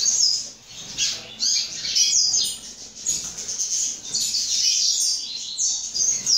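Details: High, busy twittering from a young second-generation double-collared seedeater, continuous chirps and short slurred notes with only small dips in loudness.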